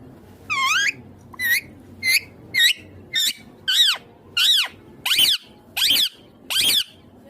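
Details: Pet green ringneck parrot repeating a short, sharp, harmonic call about eleven times, roughly one every two-thirds of a second, each note rising then dipping, against a quiet indoor background.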